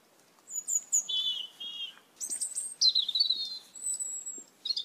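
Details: Asian glossy starlings, red-eyed, a flock feeding on papaya plants in a backyard; high thin whistles and squeaky notes, some short and repeated, then longer wavering and buzzy strained whistles.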